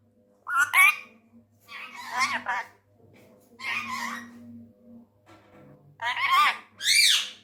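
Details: A tame male Indian ringneck parrot, angry, talks in Urdu/Hindi: five short speech-like bursts of rasping, harmonic syllables with rising and falling inflections, separated by pauses, over a faint steady low hum.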